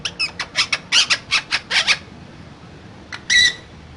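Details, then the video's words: Parrot letting out a rapid run of about ten short raspy squawks over two seconds, then a pause, a single click and a final harsher squawk. "Parrot Talking"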